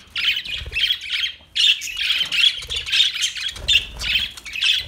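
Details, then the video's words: Budgerigars, newly brought home, keep up a steady scratchy warbling chatter of high, rasping notes in rhythmic bursts about every half second, one brief pause near the start. "New Budgie Birds Sounds Beautiful New Budgies"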